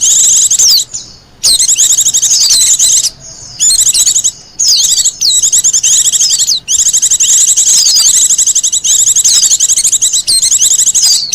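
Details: Long stretch of song from a wild Japanese white-eye, suited to luring and master training: continuous high-pitched warbling chatter with repeated downward slides, interrupted only by a few short silences.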